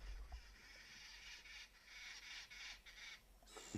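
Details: A hidden flock of Arrow-marked Babblers behind bushes at Rietspruit Game Reserve, Lowveld, South Africa, during a sunset drive, chatter in harsh, raspy, overlapping bursts, rising and falling for several seconds over a faint low rumble.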